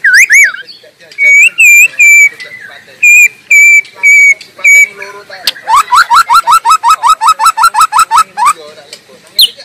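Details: Wild white-rumped shama in full song: pure whistled notes repeated at steady intervals, then a rapid train of about twenty sharp rising chips, ending with a high whistle.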